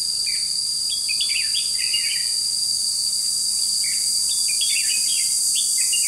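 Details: Red-whiskered bulbul singing as a trapping decoy, 21 July 2016: dense runs of short, sweet, slurred notes, often several per second, partly masked by a continuous high-pitched insect chorus.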